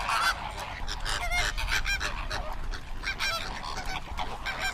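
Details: A flamingo flock gives a continuous, crowded babble of harsh honks and grunting nasal notes, many birds overlapping.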